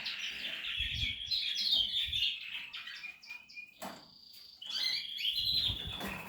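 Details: Portuguese harlequin canary during nesting and nest building: bright, fast twittering song with rolling trills and short whistled notes high in pitch, broken by a brief pause before a steady whistled tone and renewed chatter.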